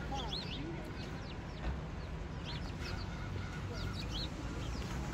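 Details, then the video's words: Several birds sheltering in a snowy tree at a transit center in downtown Allentown; scattered bright, quick chirps and looping notes over constant low-pitched traffic rumble and urban background noise. "Birds chirping in the snow"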